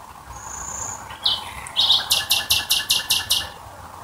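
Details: At night near Dresden a nightingale opens with a thin high whistle, then a few rough notes and a run of about eight evenly spaced loud pulses.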